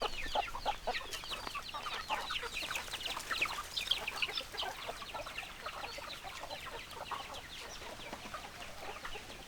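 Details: Many hens clucking together in a dense, continuous chorus of short rapid clucks and chatter, with a steady background hiss.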